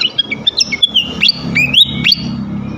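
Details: Lure song of a flycatcher meant to provoke rival flycatchers into singing: clear high whistles broken by quick rising slurs, repeated roughly every half second over a low background hum.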